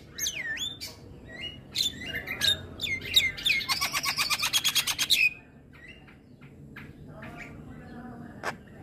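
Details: A Javan myna's morning song: swooping whistles and squeaks, then a fast buzzy rattle of evenly repeated pulses lasting about two seconds, followed by quieter scattered ticks.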